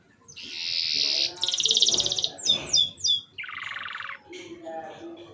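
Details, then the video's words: Short canary song used as a stimulus for young canaries: a long high buzzy trill, a faster rattling tour, several slurred notes, then a lower rolling trill and soft fading notes. "RANGSANGAN DAN PANCINGAN KENARI PAUD AGAR CEPAT BUNYI DAN GACOR - kenari lain langsung respon"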